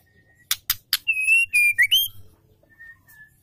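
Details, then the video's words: Female Oriental magpie-robin calling a male, used as a lure to excite males: three sharp clicks, a quick series of loud, bright whistles ending in an upward slur, then two faint level whistles. "Murai betina gacor memanggil jantan pancingan"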